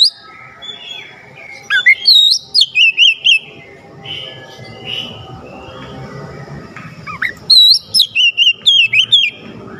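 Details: Oriental magpie-robin song used to stir up a lazy magpie-robin: two bursts of repeated, sweeping whistled notes with a hummed background between them.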